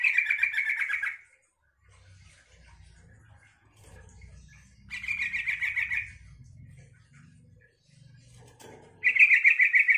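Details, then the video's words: Yellow-vented bulbul song, meant to prompt other bulbuls to answer and sing: three bursts of bubbly chattering, each about a second long, spaced several seconds apart, with low rumbling noise in the gaps. "suara trucukan ini bikin trucuk lain nyaut dan ikut gacor"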